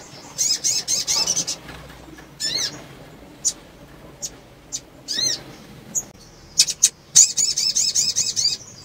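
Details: A female sunbird in breeding condition calls, used to stimulate males: very high, thin chips in quick chattering bursts with brief pauses between runs, over an otherwise quiet background.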